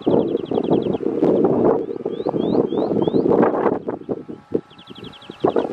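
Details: Common shelduck at Ría de San Martín on 13 July 2021: quick runs of thin, high whistled notes, then a few rising whistles, then another fast run, all over heavy wind and engine rumble.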